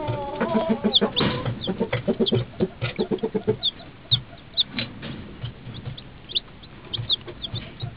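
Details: Two-day-old chicks drinking beside their mother hen: short, high, thin peeps come again and again, while a run of low, rhythmic clucks fills the first few seconds and fades out.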